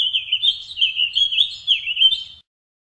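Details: Warbling vireo singing one continuous, fast, wavering warble of slurred notes for about two and a half seconds, with faint low rumbling underneath.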